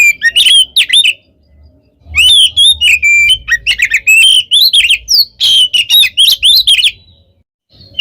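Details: Oriental magpie-robin singing nonstop to provoke other birds: loud bursts of varied whistles and sharp chirps, rising and falling notes delivered in rapid runs separated by short pauses, with a faint low hum beneath.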